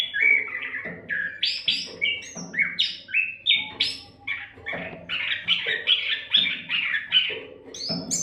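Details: Oriental magpie-robin in rich, continuous song used to teach other songbirds: fast varied sequence of whistles, slurs, rasps and high chips, nearly without gaps, with a low hum beneath.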